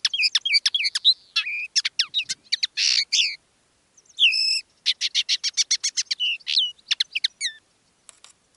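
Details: Common linnet song from caged decoy birds singing live, one of two in different styles: rapid twittering notes, buzzy rattles and upslurred whistles in quick bursts, a short pause near four seconds, then more fast clipped twitters.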